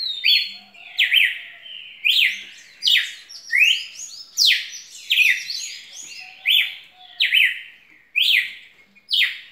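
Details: A red-cowled cardinal sings a long, vigorous series of about a dozen bright, falling whistled phrases in quick succession, with a faint low hum in places.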